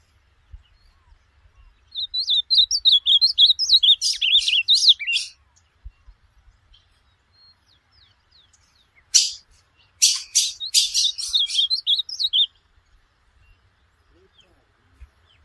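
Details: Two bursts of ultramarine grosbeak song, each about three seconds, recorded for teaching a pet bird; sweet slurred whistles blend into rapid buzzy, scratchy notes, with quiet gaps and faint clicks between.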